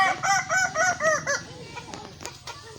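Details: Kukuak Balenggek cock at a crowing contest gives a run of arched, ringing syllables about three per second, then trails off into quieter rustling and background murmur.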